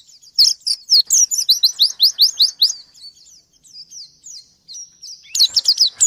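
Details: Songbird white-eye calling out to a rival, a fast run of high, sharply falling chirps, about two per second at first, easing into thin warbled notes before a final loud burst.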